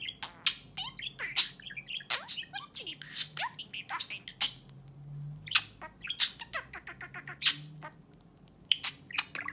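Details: Indoor pet budgie talking to a person's fingernail, pouring out rapid warbling chatter of squeaky chirps, falling whistles and hard clicking ticks in irregular bursts, with faint low room hum beneath.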